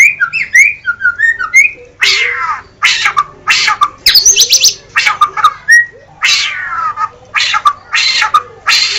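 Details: White-rumped shama song that opens with quick twittering whistles, then moves into repeated harsh, downward-sweeping rasping notes mixed with scattered high chips.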